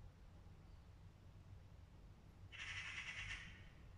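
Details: An angry magpie gives a harsh, rattling chatter lasting about one second near the end, preceded by quiet background with low rumbling noise.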